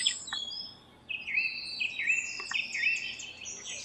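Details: House wren singing while building its nest: a rapid, bubbling jumble of high trills and chattery notes, tumbling between mid and very high pitches for about three seconds.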